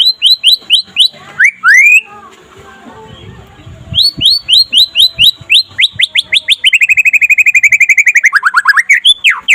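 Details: White-rumped shama (murai pastol) singing by day to set off other shamas: quick bursts of rising chirps, a short gap, more chirps, then a long fast trill ending in swooping whistles.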